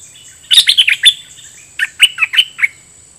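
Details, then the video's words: Caged red-whiskered bulbul used as a decoy, singing its 'double' song style at wild birds: two loud bursts of five or six chirpy, warbled whistles each, separated by a short pause, over a faint constant high hiss. "เปิดดอกเพลงเบิ้ล!! ร้องริกใส่นกป่า"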